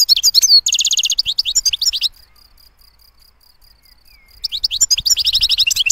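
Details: European goldfinch singing in lively bursts: rapid metallic trills and tinkling twitters, then a two-second lull holding only a faint thin tone, before the quick chattering trills resume strongly to the end.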